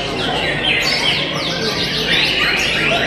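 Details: White-rumped shama at a singing contest in Tasikmalaya, showing its sharp 'sepur' strike; quick high whistled notes and twittering trills pour out continuously amid other competing birds and background crowd noise.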